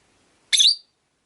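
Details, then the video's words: A single harsh, high chirp, slightly falling at its tail, from one of five caged rosy-faced lovebirds kept by a window in a quiet room. "Lovebird Chirping Sounds"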